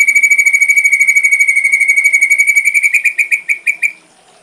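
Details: Ashy drongo tutor song: a steady, rapid, pulsing trill at mid-high pitch, about three pulses per second. It slows into separate, louder chirps before stopping.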